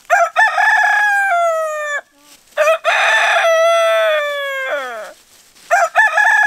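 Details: A rooster crows loudly and repeatedly. Each cock-a-doodle-doo has a stuttered start and a long falling end, separated by short pauses.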